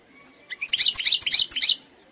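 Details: Brief burst from a wild khalwi goldfinch: roughly a second of quick, bright, tinkling chirps repeated in rapid succession.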